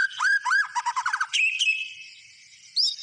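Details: Loud white-rumped shama song: curved whistles, a quick run of falling notes, then a level buzzy note and a high final phrase.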